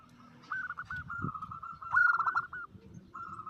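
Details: Zebra dove call, a female calling to a male and used as a lure: short coo notes run into a long wavering trill that swells louder near the middle, with low rumbling background noise.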